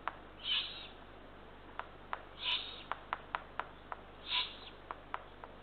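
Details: Eurasian eagle-owl at a nest at Kassiakk, Estonia, just after midnight on 23 June 2023, as an adult brings two small rodents to the third of three ringed chicks. Three harsh, breathy rasps about two seconds apart, with sharp clicks and taps between them.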